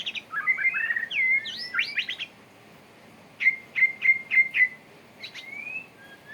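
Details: Courting male white-rumped shama gives tangled fast whistles, then a row of five clear repeated whistled notes and a final rising slur, with pauses between phrases.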